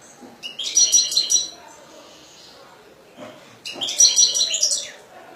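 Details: European goldfinch song in two lively phrases of high, fast tinkling and chattering notes, separated by a short lull with faint background murmur.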